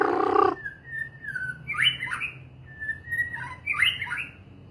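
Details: White-rumped shama (murai batu) singing: a brief loud harsh burst opens, then a steady clear whistle leads into two rich, rising-and-falling warbled phrases about two seconds apart, over a faint low hum.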